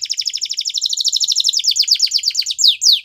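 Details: Canary song for training young canaries: fast rolling trills of repeated notes between high pitches, slowing near the end into a few louder downward-sweeping slurred notes.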